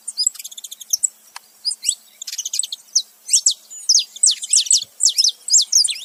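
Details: Saffron finch male and female calling together: a quick ticking series at the start, then loud, high downward-swept chirps in irregular pairs and groups.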